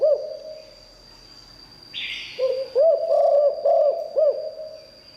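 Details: Spotted dove with a good voice, kept as a decoy for luring wild birds, giving low mellow coos in a rhythmic run of rounded notes after a brief hiss, over a steady faint high tone.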